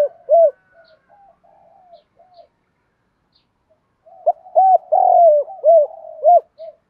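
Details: Spotted dove cooing, used to stimulate trained birds: low hollow coos in two bursts, the second a rapid run of rounded notes with one louder rough note, separated by a quiet gap with faint murmuring.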